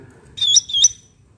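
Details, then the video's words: Cucak ranting bulbul heard in the wild: two loud, clear whistled notes, each sliding down then up with a sharp high flick, given in quick succession with no other sounds. "cucak ranting suara alam"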